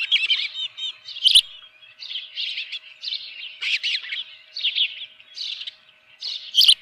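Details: At a ranch nest with a live fish, morning of 24 June 2018 at 7:32 AM, an osprey gives repeated high whistled chirps in short clusters about every second, with one brief sharp knock early on.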